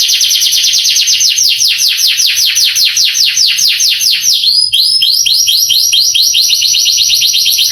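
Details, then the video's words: Canary song used to make young canaries respond and sing; a rapid trill of falling notes that slows into spaced, swooping whistled phrases after a brief break. "MASTERAN KENARI bikin KENARI PANAS EMOSI langsung gacor"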